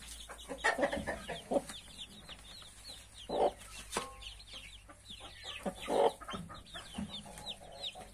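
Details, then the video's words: Hen with a brood of 31 just-hatched chicks: a few loud broad clucks and a short harmonic note, with continuous high-pitched chick peeping behind. "31 newborn cute chickens with mother hen"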